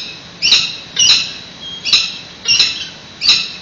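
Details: Webcam recording of peregrine falcons at a San Francisco nest, nest exchange on 28 May 2017: five rasping, high-pitched calls at irregular intervals of roughly half a second to a second, over a low steady hum.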